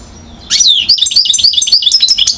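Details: European goldfinch, one year old, from Mouzaia, Algeria, in 2012, bursting into quick high twittering song of rhythmic, repeated downslurred notes after a quiet start.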